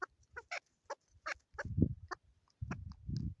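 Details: A female Chukar in Pakistan calls with short, hoarse clucking notes at an irregular pace, about six in three seconds, over low thumping and rumbling noise, with human laughter nearby.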